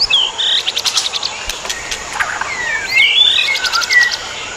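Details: A pair of adult white-rumped shamas in the wild: rich whistled song with sweeping, slurred phrases and bursts of sharp clicks, all over a steady high insect drone.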